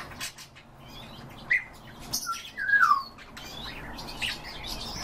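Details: European bee-eaters heard one morning: a short chirp, then a rippling call that falls in pitch, among faint high notes from other birds.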